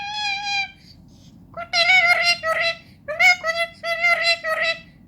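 A parrot talks in a high, nasal voice: one drawn-out syllable, then two quick bursts of clipped, speech-like syllables over a low indoor hum.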